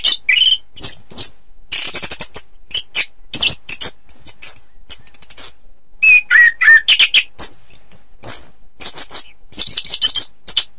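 An orange-headed thrush sings a fast, varied run of high whistles, sharp chirps and buzzy trills, phrases tumbling several per second with brief pauses.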